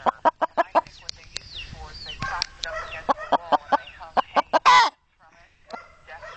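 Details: Rapid, evenly spaced clucks from a chicken answering a person talking to it, with speech woven between the notes, ending in a loud rough burst and a short silence.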